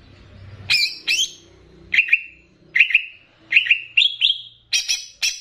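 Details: Greater green leafbird of Banyuwangi, on a master recording to stir up leafbirds, mixed with bebeci: paired sharp chirps, then spaced doubled whistled notes, ending in harsher buzzy bursts over a faint low hum.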